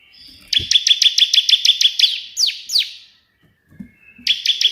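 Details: Bar-winged prinia singing energetically, 'tembakan perenjak putih' burst version. A rapid even trill of high chips gives way to two sweeping downslurred notes, then silence, then the quick trill starts again.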